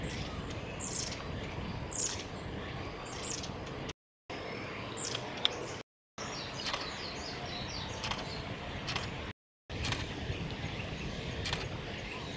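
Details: Faint, high-pitched thin calls and brief descending notes of long-tailed tits at Gongenyama Bird Sanctuary, recorded 8 September 2018, scattered over constant background hiss with a few short gaps of silence.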